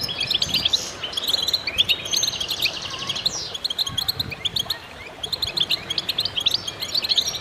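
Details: Goldfinches singing as a group: a lively tangle of tinkling, chattering high notes and short buzzy slurs, swelling and easing slightly but never stopping, over some low background rumble.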